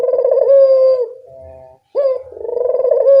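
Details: Barbary dove cooing, recorded as a training track to get quiet doves to call: two long, rich, rolling coos, with a brief low murmur between them.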